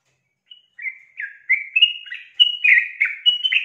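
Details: Female sooty-headed bulbul calling to draw the male into singing, a lure recording: a bubbly series of short, slurred whistled phrases, starting softly and growing louder and quicker, with notes rising and falling.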